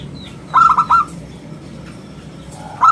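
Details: Zebra dove of a local strain, an active singer with a round, crystal voice, used as a lure and tutor: one bright run of three clipped cooing notes, then quiet hum, then the start of another burst.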